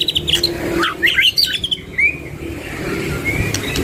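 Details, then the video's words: White-rumped shama, one of a lively pair, giving scattered sharp chirps and short slurred whistles, then a few longer rising whistles over a faint steady background hiss. "Duo GACOR !! Burung MURAI BATU Full isian MASTERAN PANCINGAN"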